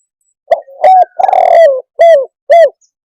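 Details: Spotted dove giving a loud, close coo: a short note, a slurred two-part coo, a long drawn-out croo falling slightly in pitch, then two brief clipped coos, all against a silent background.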